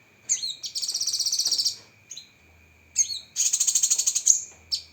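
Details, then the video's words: Cucak kinoi (lesser green leafbird) in a masteran training recording full of sharp 'tembakan' phrases: two bursts of rapid, buzzy, high chattering trills with short whistled notes before them, over a faint steady high tone. "Masteran Burung Cucak Kinoi Full Isian Tembakan Pedas"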